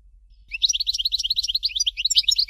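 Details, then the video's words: A steady, unbroken flow of rapid, bright twittering notes from a European goldfinch singing the Dalya style of Fort de l'eau. It lasts about two seconds with no gaps. "Chant Chardonneret Dalya Original"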